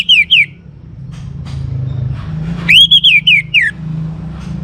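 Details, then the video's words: Singing to rouse other birds, a young orange-headed thrush gives two short downslurred whistles, then a longer series of loud rising-and-falling whistled notes over low background hum. "ANIS MERAH Muda Gacor Untuk Pemancing Burung Berani Berkicau"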